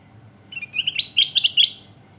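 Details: Sooty-headed bulbul tutor song: a rolling run of short chirps rising into several fuller, warbled whistles, about seven notes in all over one and a half seconds, with light background hum.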